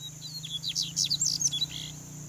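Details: Male double-collared seedeater, Sporophila caerulescens, singing a quick, sweet phrase of varied high whistled and chirpy notes, some rising and some falling, over steady low hum and faint high-pitched background noise.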